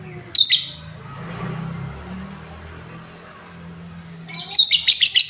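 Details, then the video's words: Lovebird in a bait recording to raise lovebirds' excitement: one sharp raspy chirp near the start, a stretch of murky low background noise, then a quick burst of several rapid harsh chirps at the end. "Suara pancingan lovebird Bahan, menaikan emosi lovebird"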